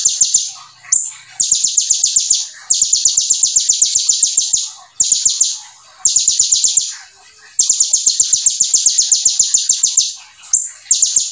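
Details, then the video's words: A konin, the brown-throated sunbird, delivers energetic song carrying imitated ciblek phrases: dense, rapid series of high, sharp notes in bursts of one to two seconds, separated by short gaps and brief squeaky notes. "KONIN GACOR FULL NEMBAK MATERI BREM CIBLEK"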